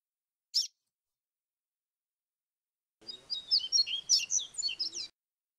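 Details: Double-collared seedeater, flute-like 'grego flautado' song style, recording cleaned of noise: one sharp high note, a pause, then a two-second warbled phrase of fast sliding, looping whistles rising and falling.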